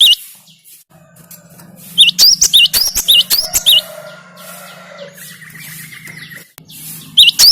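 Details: Song of the cinereous tit (gelatik batu), meant to rouse a kept bird: clipped high whistled couplets in short runs, with a low steady hum and faint background tones between them.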